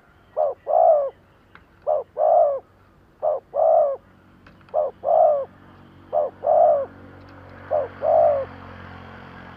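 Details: Lure spotted dove calling to draw in wild doves: six repeated double coos, a quick note then a fuller coo, spaced about every one and a half seconds. A light hiss builds near the close.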